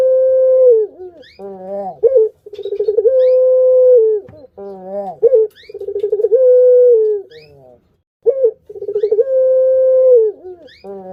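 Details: Barbary dove kept as a cage bird, call used as a lure for other doves: rhythmic phrases about every three seconds, each a bright upward note, a quick tremolo, then a long even coo sliding down.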